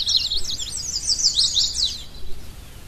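An Indigo Bunting sings a high, bright two-second run of quick paired sweeping notes, ending abruptly, over a faint low rumble of background noise.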